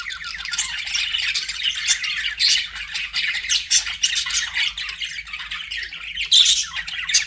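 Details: Budgie chatter from pet birds: rapid buzzy warbling phrases with bright squeaks, swelling and easing in bursts, and a sharp high chirp near the end.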